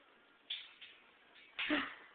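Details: A pet male monk parakeet playing peekaboo utters short, scratchy, voice-like bursts of mimicked human speech.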